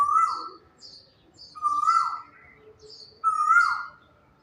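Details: Morning quail song in a still setting: three level whistled notes, each sliding down at its close, spaced roughly every one and a half seconds, with faint higher chirps between them.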